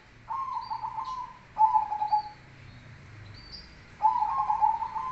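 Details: Deep-voiced black cemani perkutut, or zebra dove, delivering kolbuntet song: three soft, vibrating, purred coo phrases separated by pauses of one to two seconds, with scattered thin chirps from other birds behind.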